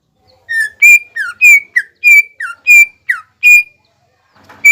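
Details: Greater green leafbird singing in the energetic mbeset style to provoke rivals: clear whistled notes near one pitch, some slurring downward, given in an uneven series of about nine phrases with short pauses.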